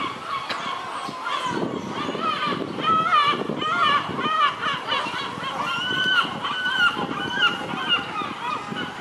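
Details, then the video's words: Many seagulls calling in the Nesebar area of Bulgaria, with a continuous mass of overlapping mewing and wavering wails, some rising and falling, against constant background noise. "Noisy Seagulls in Nesebar"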